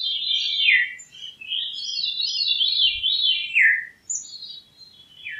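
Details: Veery song in repeated ethereal, descending spirals, each swirling phrase falling in pitch and following closely on the last, over faint low background rumble.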